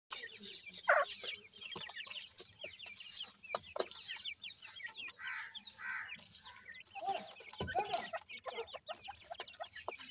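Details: Francolin chicks during feeding, many peeping together in a rapid chorus of short, high, downslurred cheeps with sharp clicking and pecking noises throughout.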